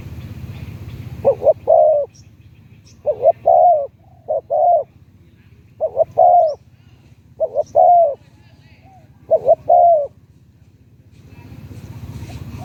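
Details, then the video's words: Spotted dove singing in a mid-to-deep voice, its coo phrases repeated about every two seconds, each a short pair of soft notes followed by a longer hollow coo, in quiet surroundings. "ต่อนกเขาใหญ่เจ้าสิงห์ดง 084 210 4169 หลิ่วตันเสียงกลางไปใหญ่"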